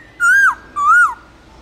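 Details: Black-throated laughingthrush (khướu bạc má) giving forest-style song (giọng rừng), played to train caged birds: two loud, clear whistled phrases with a fluttering rise then fall, about half a second each, in a quiet background.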